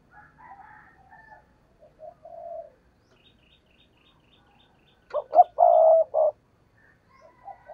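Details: Spotted dove used as a lure for wild doves: quieter low coos with higher chirping notes, then a loud throaty series of four coos and soft coos at the close.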